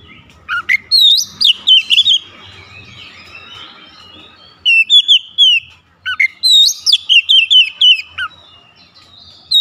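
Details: Kacer in lively 'tembakan pedas' style, giving loud, fast series of bright whistles that twist up and down, a longer quieter pause midway, then another dense run of sharp notes.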